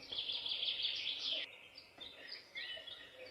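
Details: Wild birds chirping in a forest, jungle and hill area: a dense, high buzzy trill for over a second, then scattered short thin chirps and faint whistles over a soft background hiss.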